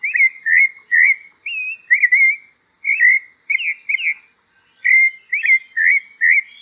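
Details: Pale-breasted thrush (sabiá-poca) singing a run of clear whistled notes, each a short rising-then-falling slur, some warbled, in quick bursts with brief pauses, against a silent background.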